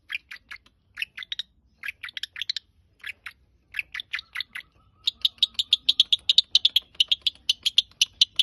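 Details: Long-tailed shrike singing short clusters of scratchy chirps separated by pauses, then a sustained rapid series of high, even ticking notes.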